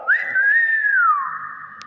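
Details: A single long whistle from a clever hill myna: it rises quickly, holds with a slight wobble, then slides slowly downward and trails into a steady tone.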